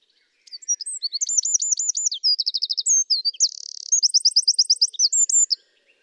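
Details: Eurasian wren song phrase at real-time speed: a loud, rushed five-second burst of very high notes, with sharp chips, then rapid rattling trills and a fast buzzy run, all packed tightly together.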